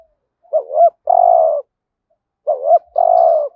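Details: Spotted dove used as a decoy, giving a lure call to draw in wild doves in the 'hạp bổi' voice style. Low, hoarse two-part coo: a wavering doubled note, then a longer steady coo, given twice about two seconds apart, in quiet surroundings.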